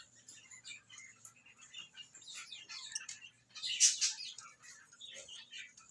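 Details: Budgerigar chatter from a protective mother budgie: quick, scratchy chirps and warbles with one louder, harsh squawk partway through.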